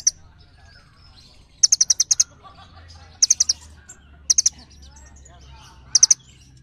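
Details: Small birds calling each other in repeated bursts of four to six rapid, high, piercing chirps, separated by pauses of one to two seconds, with faint twitters and a low hum in between.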